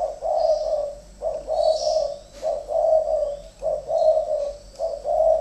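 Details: Two decoy spotted doves in a calling duel: low, husky cooing phrases about a second long, repeated in a steady run with short gaps between them. Faint thin chirps from small birds sit high above the cooing.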